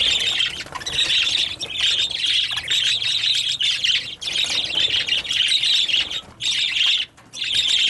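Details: Birds calling loudly in an almost unbroken wall of high, grating squawks and twitters, with brief lulls near the end.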